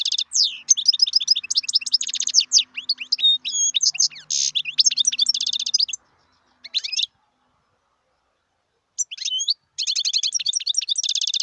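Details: Long, continuous, tumbling song of a wild European goldfinch, full of fast liquid twitters, buzzy trills and sharp chirps, with brief silences before the chatter resumes.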